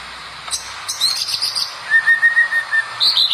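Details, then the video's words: White-rumped shama singing steadily, used as a master recording for training other shamas: a few sharp high notes, then sustained clear whistled notes, one high and one lower and level, with a rising whistle at the end. "SUARA OCEHAN BURUNG MURAI BATU GACOR UNTUK MASTERAN MURAI"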